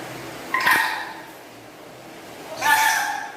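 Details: Black-capped lory kept as a pet, chattering indoors: two loud, harsh squawks with a rich harmonic, nasal quality, about two seconds apart, over faint room noise.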